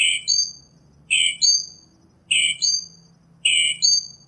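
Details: Northern mockingbird singing in the wild: a high two-part phrase repeated four times, each a bright burst followed by a falling slurred note, spaced just over a second apart, with faint low background rumble.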